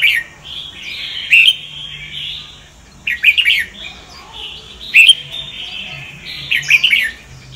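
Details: Voice-training Red-whiskered bulbul song in Sông Kon style: short, sharp chattering bursts every one to two seconds, each trailing into a drawn-out whistled tone.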